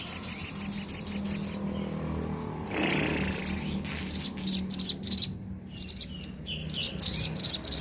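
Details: Sooty-headed bulbul in energetic song: bright high chirps and trills, pausing briefly midway while a short broadband rustle passes, then resuming in quick bursts over a faint low hum.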